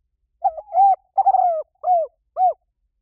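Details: Spotted dove call used to attract doves: a wavering opening coo, a long falling note, then two short domed coos, clear and hollow with a quiet backdrop.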